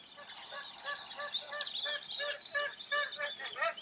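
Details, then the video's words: Magpie geese give loud, nasal honks in a rapid, uneven series, about two per second, with several birds calling over one another in a busy chorus. "SOUND OF A MAGPIE GOOSE 🔊 What does a magpie goose sound"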